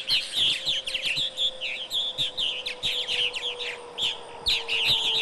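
Purple martins chatter nonstop, overlapping rich, gurgling chirps from several birds at once, with a faint steady low hum underneath.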